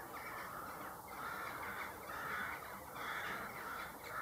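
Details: Corvids calling in the early morning: harsh, nasal caws repeated about once a second in short bursts, set against a steady broadband hiss that nearly masks them.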